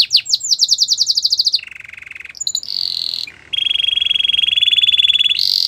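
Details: Belgian canary singing: fast trills of repeated high notes, first a bright rapid trill, then a lower buzzy roll, a sharp twitter, and a long steady rattling trill ending in a higher burst.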